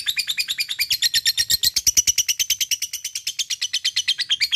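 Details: Lovebird giving a long ngekek, a rapid chattering song, as a steady run of about 35 sharp, high, even notes over four and a half seconds, with no other sounds.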